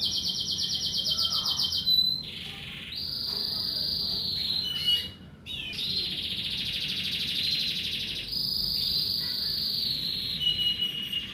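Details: Canary singing in the morning, Indonesian bird-keeping hobby, in long sustained trilled rolls around the upper register, broken by short pauses and shifts between lower and higher trill phrases, with a faint low background hum.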